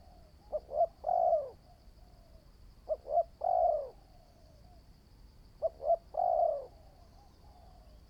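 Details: Spotted dove kept as a new decoy bird in training for trapping, calling three spaced phrases, each two quick short coos followed by a long, smooth, falling coo, with quiet pauses between.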